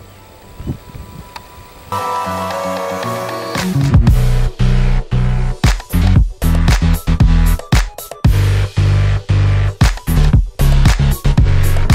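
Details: Electronic music only, a low drone giving way to a heavy, pulsing bass beat at about two beats per second, with no animal voice.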